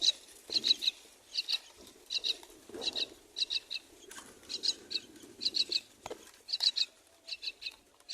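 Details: Myna nestlings, four in the nest, call as they are fed: high rasping chirps grouped in twos and threes, repeated about every half second throughout, with faint rustling beneath.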